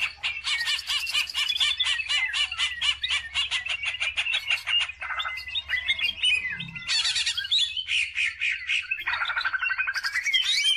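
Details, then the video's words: Greater green leafbird singing non-stop in rich, fast, varied phrases of chattering trills, slurred whistles and buzzy notes, switching pattern every second or two. "CUCAK IJO GACOR"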